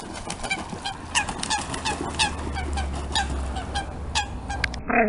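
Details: Eurasian coots in a fight after three chicks enter the territory of an aggressive adult coot; sharp, honking call notes repeat rapidly and irregularly over a low rumble of background noise.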